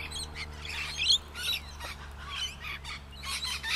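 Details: Rainbow lorikeets among trees, captured on a Canon Powershot S5 IS during travels: harsh high squeals and chatter in short bursts, with constant low droning hum behind.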